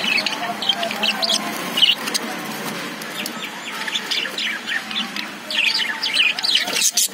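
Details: Caged lovebirds, also called budgies, chirping: a busy overlapping chatter of short high chirps and rising squeaks, with brief clicks and a steady low hum beneath.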